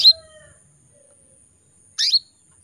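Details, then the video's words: Female canary in breeding condition calling to attract males: two short, bright chirps about two seconds apart, each a quick downward-sweeping tweet. A thin, steady high tone runs throughout. "PANCINGAN KENARI BETINA MEMANGGIL JANTAN"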